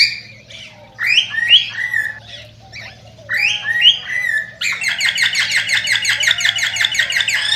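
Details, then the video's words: Cockatiel song used to stimulate breeding: warbled, wavering whistles and chirps, then a rapid run of repeated high chattering notes in the second half, with a steady low hum underneath. "صوت تغريد طائر الكوكتيل"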